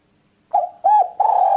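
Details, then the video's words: Spotted dove call used for luring birds: three low hooting coos, the first short, the second short and arched, the third longer and steady. "Mp3 burung tekukur ampuh"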